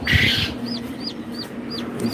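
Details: Ayam Cemani chicken: a short, harsh, buzzy squawk, then a run of high, clear peeps, each falling in pitch, against a steady low hum.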